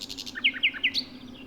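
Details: A common nightingale sings out in the open very early in the morning in spring in Sussex. It gives a brisk phrase of a few soft buzzy notes, then three loud whistled notes sliding downward quickly, over a faint low hum.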